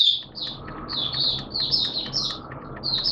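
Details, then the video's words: Caged hobby white-eye, 11 September 2022, wet erratic weather, giving a somewhat quieter run of high, quick twittering notes over steady low background noise. "Mata Puteh T-Rex Buka Sing"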